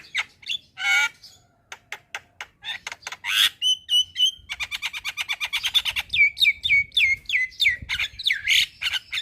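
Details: Javan myna in full song: scratchy chatters and short whistles give way to a fast run of clipped notes, then a string of repeated downslurred whistles about four per second, mixed with harsh rasping bursts.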